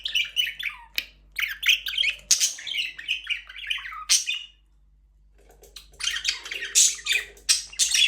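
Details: Budgies in a breeding aviary with a first chick, chattering in dense high chirps, squeaks and squawks in busy bursts, one brief pause midway, then renewed chatter.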